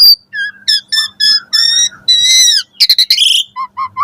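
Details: Morning song of an Asian pied starling: a varied run of bright whistled notes, steady tones and short warbled phrases, with a burst of rapid chattering near the middle and lower, clipped whistles at the end.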